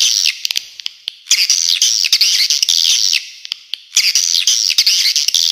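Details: Swiftlets chattering in long, loud, buzzy trills that swell and waver, each run lasting about a second or more, separated by short pauses filled with isolated sharp clicks.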